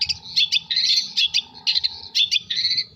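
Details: Long-tailed shrike from Jember giving an irregular song of scratchy, buzzy phrases and short chirps, varied in length with brief gaps, over low background rumble.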